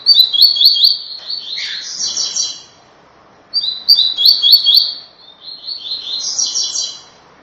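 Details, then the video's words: "Tui tui" song of a rusty-collared seedeater for training captive birds: two rapid phrases of repeated high chirps, the first dipping briefly lower, ending in higher buzzy notes, with quiet background noise. "CANTO TUI TUI EXCELENTE PARA TREINAMENTO DE COLEIRO PARDO"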